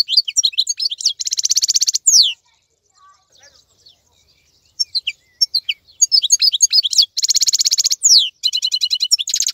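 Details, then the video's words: European goldfinch keeping its shine and vigour during moult, alternating rapid tinkling twitters with long buzzy trills and rattles, with a brief quieter gap near the middle. "تغريد افضل من كل تغاريد طائر الحسون الخلوي"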